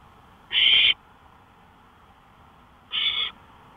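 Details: Owl on a porch, May 5, 2013 at 1:53 AM: a loud harsh hissing screech, then a softer shorter one about two seconds later.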